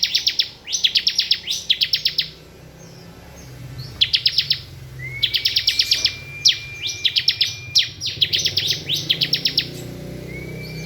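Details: Bar-winged prinia in ngebren song: fast rattling series of high, piercing chirps delivered in tight bursts, interrupted by a long, steady, thin whistled tone near the middle, over faint low background hum.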